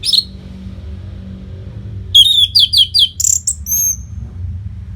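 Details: Persistent orange-headed thrush tutor song used to keep competition birds fit: one high opening note, a long quiet gap, then a rapid string of varied sharp, bright phrases and a thin whistle, over faint low hum.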